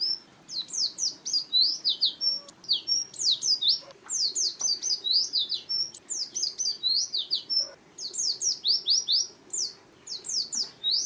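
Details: Oriental white-eye singing, offered for luring birds and tutoring other songbirds: long, regular strings of high, sharp downslurred chirps and short whistles with occasional short gaps, over a soft low hum and a few faint knocks.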